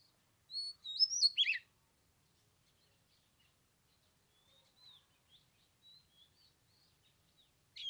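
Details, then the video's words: Oriental magpie-robin singing in 15-degree cold on the third day of Lunar New Year: one loud whistled phrase ending in a steep downward slur, followed by faint, thin notes and a final short chirp. "Chòe than mùng 3 tết cái lạnh 15 độ chơi 1 tiếng"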